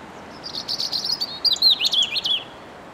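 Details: Robin song among branches: a rapid run of high, squeaky warbled notes rising and falling, then a few clearer sliding whistles, over a continuous low hiss.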